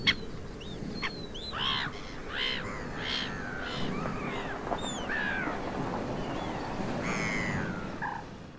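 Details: Water rail in the Suscinio marsh, Morbihan, France, on 23 August 2022 during a drought, giving a run of harsh, pig-like squeals and grunts in short bursts about every second over a steady low background rumble.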